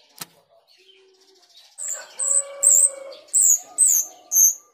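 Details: Female grosbeak starling (jalak rio) calling as a lure: a series of six short, high, harsh notes, each with a slight downward bend, about every half second, after a quiet lead-in with a faint low whistle.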